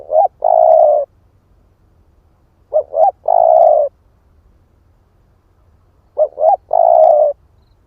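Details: Spotted dove of the split-breast type cooing as a lure to provoke wild doves: three phrases, each two quick rising notes then a long steady hoarse coo, spaced about three seconds apart, clean background.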